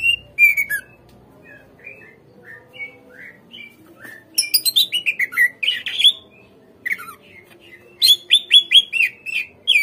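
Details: Greater green leafbird song used as a lure to make captive birds respond and sing: varied whistled and chattering phrases, quiet at first, then loud bursts of rapid repeated notes around four and eight seconds.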